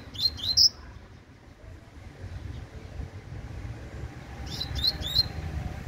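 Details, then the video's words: Fledgling coleiro singing brief sharp rising whistled notes, a tight group of three at the start and another three near the end, separated by a quiet stretch with steady low-pitched background hum. "FILHOTE DE COLEIRO TUI TUI (SINISTRO)"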